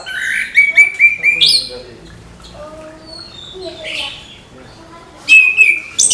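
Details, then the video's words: Morning trickling song of an orange-headed thrush, used to encourage young thrushes to sing: high rapid chirping phrases at the start and end, with a quieter middle stretch where faint human voices are heard. "ANIS KEMBANG GEMERCIK SUARA DIPAGI HARI, MENAMBAH SEMANGAT ANIS MUDA BUKA PARUH"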